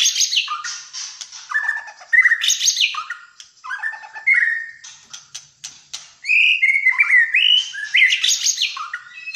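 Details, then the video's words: Malaysian white-rumped shama, a fighter-type bird in full song, delivering loud varied phrases: clear whistles, slurred rising and falling notes and harsh buzzy bursts, with brief pauses between bursts of song. "MURAI BATU MALAYSIA GACOR FIGHTER"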